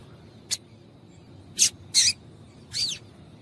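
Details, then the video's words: Female double-collared seedeater's calling, used to make males sing: four separate, sharp, high notes, a single short chip, then two fuller chirps and a final note sliding downward, with quiet gaps between. "Piado de Fêmea de Coleiro para Esquentar Coleiro frio"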